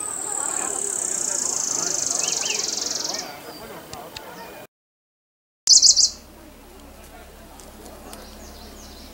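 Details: Buff-barred warbler at Long Lake, Jiuzhaigou, 3100 m elevation, 25 June 2014, first taken for a Gansu leaf warbler, gives a very high, thin trill for about three seconds, then a brief burst of sharp high notes after a pause.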